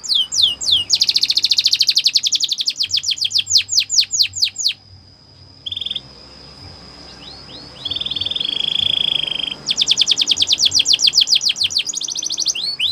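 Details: Canary training song alternating long fast trills of falling chirps with quieter gaps holding a thin sustained whistle and a low buzzy tour, then a rapid trill returns.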